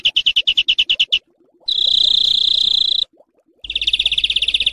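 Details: Coarse 'besetan' rasping song used to tutor home and contest songbirds: a string of separate sharp pulses, a continuous harsh buzzing trill, a short silence, then a fast pulsed rasp resuming.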